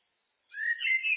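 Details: Common blackbird (Turdus merula): after silence, a single smooth whistled note slides upward into a brighter, slightly wavering whistle that continues to the end.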